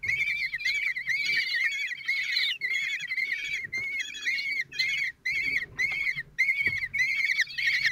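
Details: Four 16-day-old common kestrel chicks in a nest in Théding, France, on 26 June 2023, while a lone father feeds them: rapid, shrill, trilling chirps repeated in bursts nearly two per second, with brief pauses.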